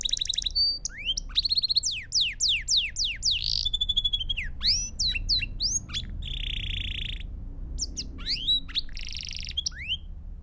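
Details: Belgian canary in continuous song for training young birds: fast downward-swept whistles, repeated chirps and two sustained buzzy rolls, delivered in varied tours over light background noise.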